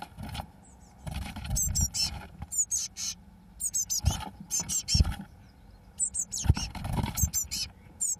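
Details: Blue tit chicks, day 21, as the first two fledge on 1 June 2012: steady, busy high-pitched twittering and squeaking throughout, overlaid by rustling, scraping and repeated thumps.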